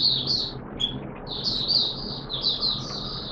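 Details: Oriental white-eye kept in the bird hobby, recorded in wet weather on 6 September 2022, starting to sing: a continuous high, thin warbling twitter of rapid run-together notes, with a faint low hum behind.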